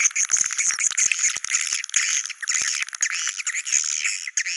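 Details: Goa China style swiftlet sound: thick, buzzy high-pitched twittering that rarely pauses, with occasional clicks cutting through the chorus.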